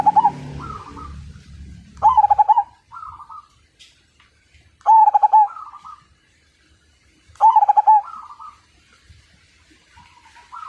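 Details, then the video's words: Zebra dove (perkutut) of the Majapahit type, described as a vigorous, fighter singer whose voice sets other birds singing: three bursts of rapid, bubbling pulsed coos, each followed by softer drawn-out notes, with a low rumble at the start. "Perkutut MAJAPAHIT GACOR DAN FIGHTER Suara Bikin Burung Lain Ikut Manggung"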